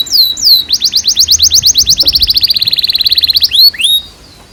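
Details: Canary singing as a lure and teaching song for young birds: high falling slurred notes open into a long, rapid trill of repeated chirps that holds steady then speeds into rising and falling sweeps before fading.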